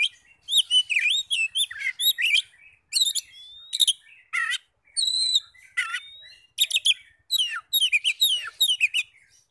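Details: Lure song of an Oriental magpie-robin, played to provoke other kacer to reply: dense run of loud, clear whistles and twisting slurred notes, sharp chips and quick trills in tight bursts with brief gaps.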